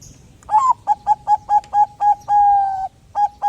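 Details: Bangkok-type zebra dove in lively, chatty voice, used to prompt other doves to sing: about eight clipped, pure cooing notes in quick succession, then one long held coo and two more short notes.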